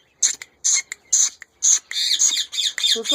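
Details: Hand-tame female Indian ringneck parrot talking: harsh, raspy, high-pitched speech-like bursts in short syllables, then a faster run of chattering phrases, heard indoors.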